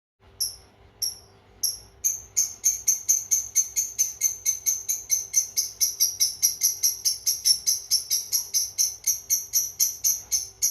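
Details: Cobalt ink-coloured lovebird giving a long chatter used as a training model for other birds: a few spaced high squeaky notes, then a steady run of rapid, evenly repeated shrill chirps continuing for about nine seconds.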